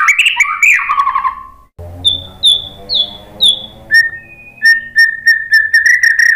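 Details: White-rumped shama singing as a lure to provoke replies: a warbled phrase, then clear whistles sliding downward, then steady flat whistled notes repeated in a row over a faint low hum.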